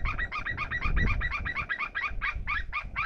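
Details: Two eagles calling out of view at an Estonian seal site, 27 August 2021, give a fast, shrill yelping chatter, about five or six notes a second, over a steady low rumble of wind and water.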